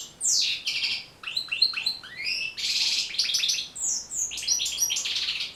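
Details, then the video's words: European goldfinch singing to help train and encourage goldfinches. Quick slurred whistles and descending notes lead into rapid, rattling twitter runs, continuous and high-pitched throughout. "بتبتة جد مهمة لتحفيظ و تحفيز طيور الحسون على التغريذ"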